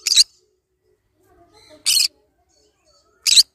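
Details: Green-cheeked conure kept as a pet, calling three loud grating squawks spaced about one and a half seconds apart, with quiet faint chatter between them.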